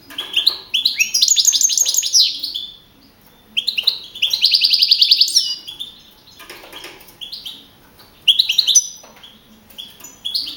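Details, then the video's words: Young male European goldfinch, a contest-winning caged singer from the Madrid region, Spain, 2012; long phrases of rapid liquid twitters and buzzy trilled passages, each lasting a second or two, with brief quiet gaps between. "JILGUERO CAMPERO CAMPEON 2012"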